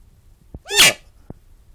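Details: Loud pet bird call indoors: a quick soft tap, then a harsh, buzzy squawk with swooping tonal bands that rise then fall, followed by another faint tap and quiet.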